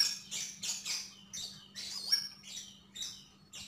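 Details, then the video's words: Javan grey-throated white-eye gives rapid, high, chattering twitters in short bursts about every half second, over a faint steady low hum. "Sogon sogok ontong gacor dan ngobra"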